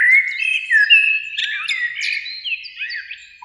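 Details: Eurasian blackbird song from two birds in a spring beech tree near a lake at evening: a continuous stream of looping fluted notes, soft downward slurs and scratchy high flourishes, ending on a short low whistle.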